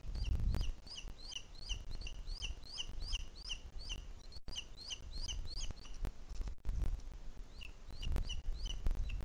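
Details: Booted eagle nest in Sierra de Guadarrama National Park, Madrid, Spain, in the 2021 breeding season, with the chick still being fed by an adult. There are strings of high, descending peeps. Loud low bumps and knocks come in between.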